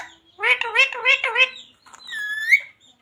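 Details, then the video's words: Talking parrot uttering phrases such as radhe radhe or sita ram; four quick wavering syllables in a row, then a thin, drawn-out rising whistle-like word. "Parrot talking radhe radhe | Parrot talking jai shree ram | Parrot talking sita ram | Mummy Papa"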